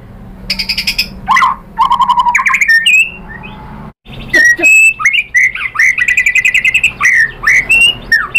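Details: White-rumped shama singing as a lure to provoke other shamas: harsh squawks and rattling bursts, low whistled notes, then rapid varied high whistles and chattering phrases in quick succession.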